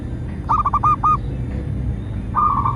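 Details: Local zebra dove singing, a recording used as a lure to get captive doves singing and attract wild ones: a quick series of four rolling cooing notes, then a rapid purring trill near the end, over a steady low rumble.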